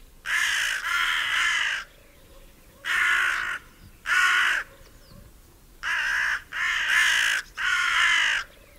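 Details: Foraging hooded crows in a meadow, one pecking an acorn while another watches enviously; rough rasping caws in pairs and singles, some doubled, with short silent gaps.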